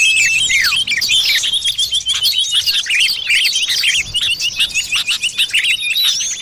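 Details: Common iora, locally called cipoh or sirtu, in a lure recording used to draw birds in the forest: dense, rapid, high chirps and twittering notes overlapping without pause, with short whistled slurs and no other clear sounds.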